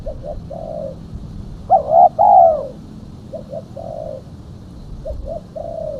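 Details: Female spotted dove lure call: a single loud, rolling double coo in the middle, framed by soft, short, mellow coo notes before and after.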